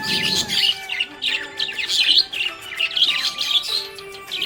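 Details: Happy budgerigar chirping: busy high-pitched warbles and chirps in clustered bursts about every half second, mixed with short whistled slides, over a soft sustained musical backing.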